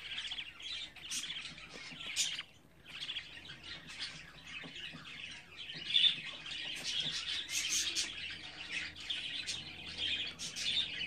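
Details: Budgerigar chicks at 24 days old make soft continuous scratchy chatter with occasional squawky notes and one sharper peak midway.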